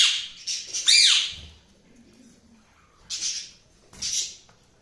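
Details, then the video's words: Cockatiel chirping: harsh, hissy high chirps in a cluster at the start, then two separate raspy squawks after a quiet gap. "cockatiel sound |chirping sound"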